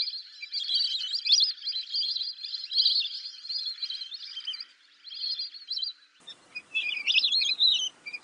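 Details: Lesser whistling duck giving continuous high whistling chatter for about six seconds, then an abrupt cut to separate thin, wavering whistled notes over a faint background hiss.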